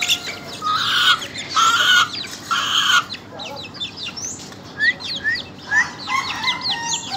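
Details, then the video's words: A young ayam ketawa cockerel gives a series of loud, harmonic crowing syllables about once a second. Later, many quick, high chirps from small birds take over. "anak ayam ketawa punya mental juara"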